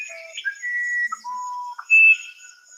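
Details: A Musician wren (Cyphorhinus arada, the Uirapuru) sings a series of pure, flute-like whistles on separate steady pitches, each held briefly, low then high, with a faint steady hum behind.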